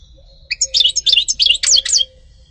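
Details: European goldfinch singing a rapid, twittering phrase of high, sharply slurred notes and buzzy chips, lasting about a second and a half, over a faint steady low tone and quiet background hum.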